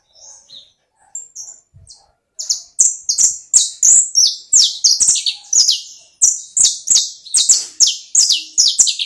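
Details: Domestic canary singing. A few scattered high chirps lead into a fast, continuous run of bright whistled notes and trills, rising and falling in quick repeated bursts, loud and clear with no other sounds.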